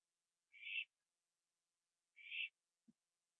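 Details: Night owl on a porch at 11:15 PM, 21 September 2011, finishing a gopher meal. Two breathy, screechy bursts roughly 1.6 seconds apart, then a soft low thump.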